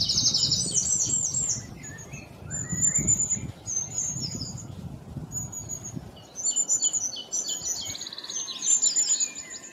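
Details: Black-throated bushtit giving rapid, very high buzzy chips in stuttering bursts, with a few lower downslurred notes; calls come in clusters about four per second, low rumble fading after six seconds.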